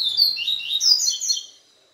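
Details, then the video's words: Yellow-bellied seedeater (papa-capim) male singing after a day with a female: a fast burst of bright, high twittering notes sliding up and down, ending abruptly into silence. "Papa capim ISRAEL mexida de um dia de fêmea"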